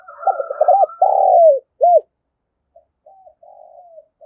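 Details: Decoy spotted dove calling wild birds: a quick run of short, throaty coos, then a long rolling coo and one short note, followed by softer, fainter coos after a pause. A thin high whistle sounds at the start.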